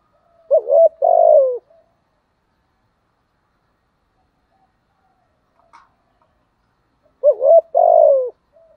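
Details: Spotted dove decoy giving its giọng thổ coo. A short wavering double note runs into a prolonged descending coo, and a long silence follows before the same phrase comes again. There is a faint click in between.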